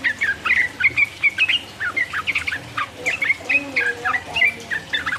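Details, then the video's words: Sooty-headed bulbul singing constantly in the rapid 'ropel uplik uplik' style, used to provoke and excite rival birds: short whistled, bubbly notes around a steady mid pitch, repeated several times per second without pause. "mancing lawan jadi emosi, trucuk gacor ropel uplik uplik merangsang lawan"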